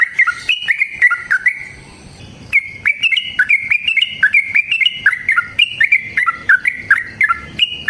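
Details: Yellow-vented bulbul delivering a long, rapid fighting song used as a lure to set other bulbuls singing: a fast, continuous run of bubbly, warbled notes that jump up and down in pitch, broken by one short pause.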